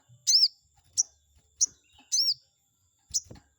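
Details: Chestnut-backed scimitar babbler, played as a lure to provoke and anger a rival bird: sharp, high arched chirps, some paired, coming in uneven bursts about every half second, with faint low thumps beneath.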